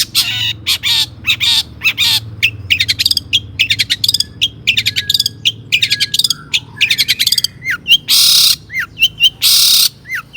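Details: Long-tailed shrike singing as a lure to provoke other shrikes into song: a dense run of harsh scratchy notes and short whistled slurs, broken by loud broadband rasping bursts near the end.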